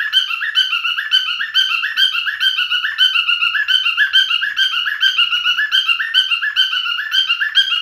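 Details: Male cockatiel singing, a domestic bird: bright, whistled warble made of short rising notes, cycled over and over at a fast, fairly even pace without pause.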